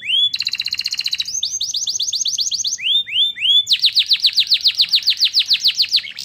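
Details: Canary singing white-eye material, meant to raise excitement: loud, fast trills of high rising sweeps, several notes per second, shifting between phrase types with a clear, bright tone.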